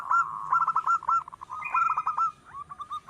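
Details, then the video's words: Local wild zebra dove singing, meant as a lure for other birds: dense, warbling mid-pitched coos run together with short clipped notes, then softer trailing coos near the end. "Perkutut lokal alam gacor Nutut,suara perkutut sedang mantap untuk pancingan"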